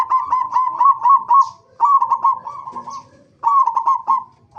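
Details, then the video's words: Local zebra dove singing as a lure for fellow zebra doves: three rapid, rolling coo phrases of quickly repeated beats, the first longest, separated by short gaps. "pancingan perkutut lokal gacor AMPUH pandai BIKIN semua BURUNG PERKUTUT GACOR RAJIN BUNYI"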